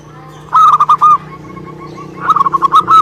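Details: Local Indonesian zebra dove singing: a burst of four quick, clipped cooing notes, a soft trailing murmur, then a longer run of rapid staccato coos over a low background hum.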